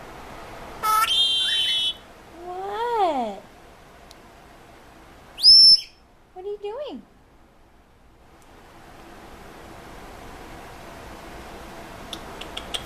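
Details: Pet Senegal parrot, a male said to talk and scream more when hormonal, gives a burst of high whistles, then falling harmonic chatter notes, a sharp high whistle and more rising-falling chatter, with a quiet pause after, indoors.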